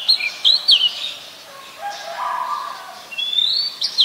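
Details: Oriental magpie-robin singing in Ubon Ratchathani, Thailand, 28 October 2021, a very common resident bird; sharp whistled notes and quick slurred phrases at the start and end, with a quieter buzzy band between them.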